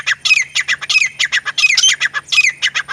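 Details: Grey francolin male and female calling together, known locally as teetar: rapid run of loud, harsh, squawky notes, many sliding downward, repeated several times a second without pause, with a steady low hum behind.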